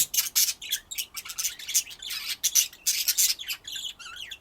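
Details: Budgerigar song as a rapid, steady stream of high chirps and scratchy notes, pulsing several times a second, ending in thinner twittering.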